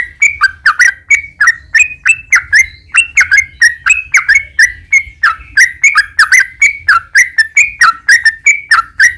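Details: Yellow-vented bulbul pouring out a long chattering song meant as a lure for other bulbuls: rapid, bubbly whistled notes repeated without pause, slightly varying in pitch.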